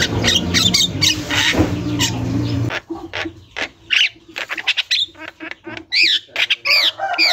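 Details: Javan myna (jalak kebo) singing without pause in a tutor recording: a loud noisy stretch at first, then clear harsh squawks and rising-falling whistled notes separated by short gaps.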